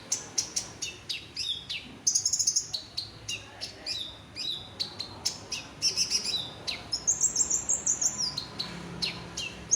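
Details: Olive-backed sunbird, called konin locally, singing a full, lively song: rapid high thin chirps and sharp ticks, with brief bright trilled phrases near the top of its range, repeated quickly throughout.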